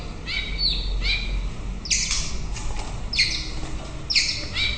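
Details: Singing white-rumped shama at morning, repeated rich whistled phrases roughly once a second, each a bright upswept or falling slur, with a constant low hum behind.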